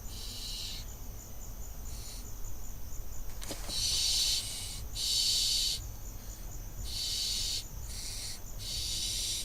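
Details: Barn owl fledgling at a nest camera in Israel on 6 June 2021, practising landings; harsh breathy hissing bursts about a second long, repeated with short gaps, over a steady high electronic whine and low hum.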